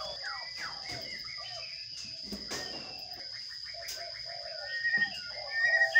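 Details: Sparrow chicks being fed in a nest box, watched by camera: a dense run of short chirps and slurred notes, some rising, some falling, over a steady high electronic whine, with a louder burst of chirping at the end.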